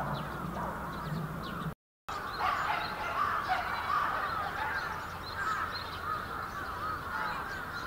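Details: Winter gathering of many bramblings, Yoyogi Park, February 2019: a busy chorus of overlapping calls, briefly cut by a short silent gap, then resuming just as dense, with scattered higher notes.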